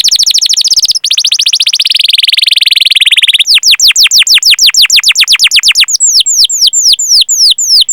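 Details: Canary song used as a master recording to train canaries: fast rolling trills of high notes, then a long series of sharply falling chirps repeated several times a second, loud and clear with no background noise.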